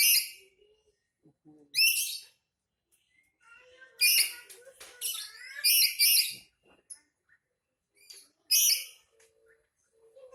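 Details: Black-capped lory in an angry mood, giving repeated grating, raspy screeches in irregular bursts, with faint low background murmurs between the calls.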